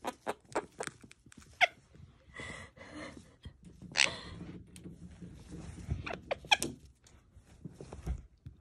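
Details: A pet monk (Quaker) parakeet playing hide and seek gives a few short, harsh chirps and squawks spread over several seconds, mixed with soft tapping and rustling in a small room.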